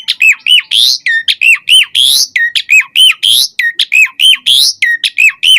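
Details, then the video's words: Asian pied starling in full, lively song, played as a lure to get captive starlings singing: loud clear whistles repeated almost every second, many falling-then-rising slurred notes alternating with sharp upward sweeps. "Suara Jalak Suren Gacor Full Isian Variasi Ocehan Buat Pancingan Burung Jalak Agar Gacor Isian Mewah"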